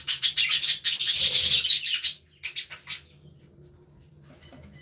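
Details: Budgerigars in an aviary burst into a rapid, dense scratchy chatter for two seconds, then give a few softer chirps before falling quiet.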